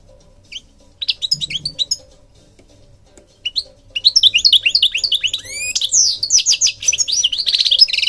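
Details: European goldfinch singing: a short burst of high twittering notes, a pause, then a long rapid run of liquid, tinkling and buzzy notes that ends in a sustained trilled jingle, with a faint steady hum beneath.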